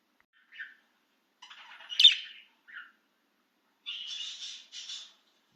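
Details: An excited budgie free outside its cage: short soft chirps, then a buzzy run peaking in a sharp squawk-like note, and later two harsh, grating chattering bursts.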